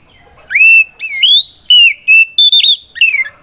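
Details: Oriental magpie-robin in full ngeplong fighting song, calling out a rival to provoke other magpie-robins into answering: loud, clear whistled notes, some sliding up, others held steady or falling, in quick varied phrases.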